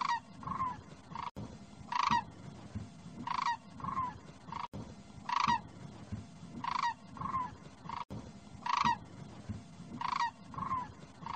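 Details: Demoiselle cranes (Anthropoides virgo) giving hoarse, rolling croaks in short bursts, repeated every few seconds.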